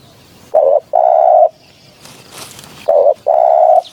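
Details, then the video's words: Spotted dove cooing for a hunting lure: a short coo then a long level one, repeated twice, with a brief rustle between the phrases. "เสียงนกเขา หมานๆ"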